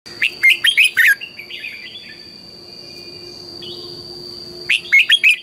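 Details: Red-whiskered bulbul singing in the morning, a lure song used to train other bulbuls: a quick burst of loud, bubbling, warbled notes, a softer twittering pause, then another rapid warbled phrase, over a steady faint high whine.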